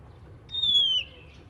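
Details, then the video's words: An oriental magpie-robin singing in the morning, a song said to encourage other magpie-robins to sing, gives one long pure whistle that dips slightly at the end. The whistle lasts about half a second over a soft low hum. "kicau kacer dipagi hari mampu merangsang kacer lain ikut bunyi"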